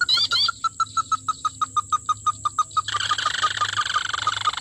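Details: Red-legged crake, locally sintar api, calling while being trapped: a run of short, sharp, evenly spaced notes, about three per second, then a broad hiss of noise.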